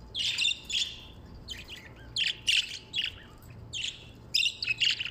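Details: Budgerigar chirps come in harsh, buzzy bursts and quick chattering runs, several each second at times, with a quiet low hum underneath.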